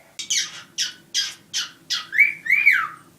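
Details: Two pet cockatiels indoors, one black and one white, said to be acting funny lately: a run of six harsh, rasping squawks about every third of a second, ending in two longer rising-and-falling whistled calls, with a faint low hum beneath.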